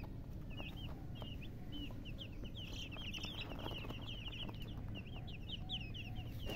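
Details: Chicks keep up steady, high chirping with many overlapping short downslurred peeps, set against a strong low-pitched background hum.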